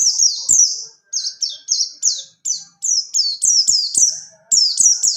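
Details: A pleci buxtoni white-eye delivers its rolling 'ngalas ngerol' song for masteran training: high, bright, falling whistles strung in fast rolling sequences with short gaps, some notes slightly lower and fuller.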